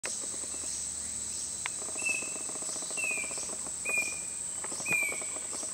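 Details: Chestnut-backed Antbird (Myrmeciza exsul) at Turubari Park, Costa Rica, gives four clear, slightly falling whistles about a second apart over a steady high insect drone.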